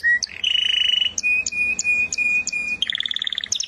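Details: Canary song featuring a buzzy rolled trill, a long level whistle punctuated by high sharp notes, and a closing burst of quick repeated chirps.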